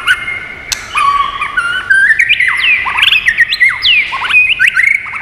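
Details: Many-voiced song of a white-rumped shama for stimulating and training birds: sustained whistle leads into a dense tumble of rising and falling whistled notes with scattered clicks.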